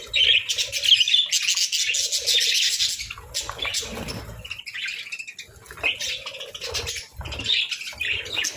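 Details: A group of budgerigars feeding on boiled eggs and bread at breakfast pours out rapid, scratchy high chirps and squawky warbles in irregular bursts. A soft thud sounds midway.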